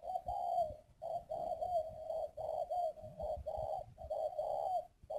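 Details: Spotted dove used as a decoy bird, from a northern Vietnamese bird farm near Ba Vì, Hanoi, giving a steady, almost continuous series of low rounded coos, rhythmically pulsing with only tiny gaps and a steady electrical hum behind.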